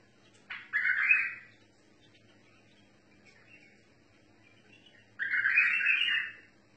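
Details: Bulbul singing in the mutawa'i song style: two rich, buzzy, warbling bursts about a second long, separated by several seconds of near silence with a faint low hum.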